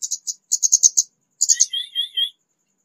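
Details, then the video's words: Young white-rumped shama beginning to sing: rattling runs of quick, scratchy high pulses, followed by a short, softer warbled phrase of thinner whistled notes, then silence. "BURUNG KEMADE BAHAN SUDAH MULAI KICAU"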